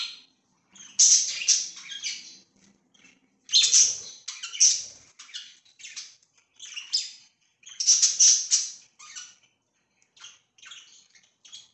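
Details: Budgies kept as pets, 24 September 2024, deliver bursts of loud bright chirping and chattering warble. Three busy clusters are separated by quieter stretches of softer clicks and tweets.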